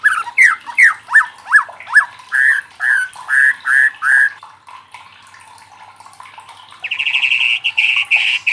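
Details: White-rumped shama singing as a provoking lure for other shamas: rich slurred whistles rising and falling in a repeated series, a quiet pause, then a fast buzzy trill.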